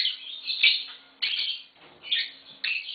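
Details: Green Fischer's lovebird pair uttering four harsh, high squeaky chirp bursts, each about half a second long, spaced by short silences.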